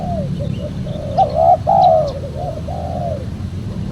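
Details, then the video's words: Spotted dove call used to lure wild doves for trapping. A run of short low coos leads into two louder drawn-out coos, then quieter trailing notes, with a faint low hum throughout. "PEMANGGIL BURUNG TEKUKUR SUPER JERNIH"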